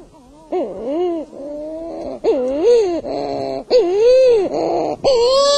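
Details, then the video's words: Sooty shearwaters (titi, muttonbirds) at night on Rangatira island, noisy even in their burrows, giving wavering, moaning wails that rise and fall like a crying infant, in overlapping bursts roughly every second. "Noisy sooty shearwaters or titi."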